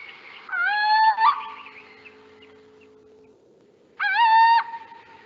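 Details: Little Owl (Athene noctua) in France giving its characteristic mewing call: two drawn-out, nasal mews, each rising sharply then levelling, about three seconds apart, over a faint steady hum.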